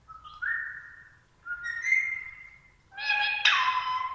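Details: Female rose-ringed (ring-necked) parakeet, a talking bird, giving two clear drawn-out whistles stepping upward in pitch, then a harsher buzzier note.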